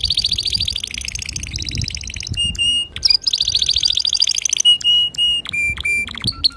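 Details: Male canary singing to instruct young birds, alternating long buzzy rolling trills with clear level whistles and sharp clicks, the whistled notes repeated at about half-second intervals.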